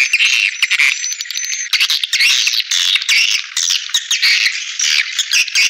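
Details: Swiftlet calling used as playback to lure swiftlets into bird houses: choppy bursts of harsh, high squeaky chirps and raspy twitters, with brief gaps between clusters and one thin whistled tone near the start.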